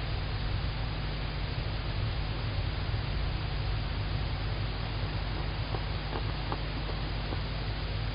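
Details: Steady low rumbling noise with a broadband hiss and a few faint ticks near the end, with no clear owl call.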